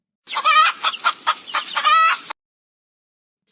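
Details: A chicken hen clucks, a quick run of nasal, raspy notes with two longer drawn-out squawks lasting about two seconds, then a brief hiss.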